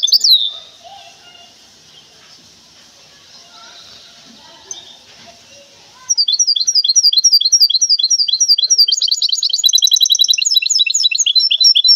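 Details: Goldfinch hybrid from Temara, kept in a cage: a brief chirp, six seconds of near silence with faint background noise, then a loud, fast stream of high twittering and trilled notes.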